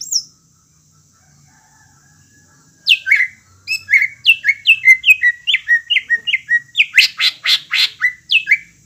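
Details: Greater green leafbird in lively song to make young birds sing: a high whistle, a pause, then a fast string of downslurred whistles and chips ending in harsh buzzy bursts.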